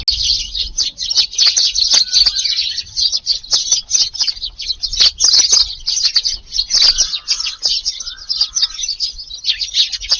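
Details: Eurasian tree sparrows swarm a Japanese garden feeding spot on a July evening after a day kept away by gardening. A thick chorus of high, rapid twittering chirps runs throughout with hardly a pause.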